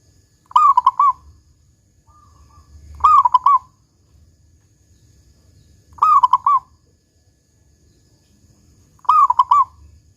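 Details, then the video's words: Local zebra dove with the big "kung" voice, sung as a lure to make doves call: four cooing phrases spaced about every three seconds, each a long slurred note followed by three rapid soft coos, light rustling noise underneath. "Perkutut Lokal GACOR Suara Kung Besar Pancingan Burung Perkutut Agar Bunyi"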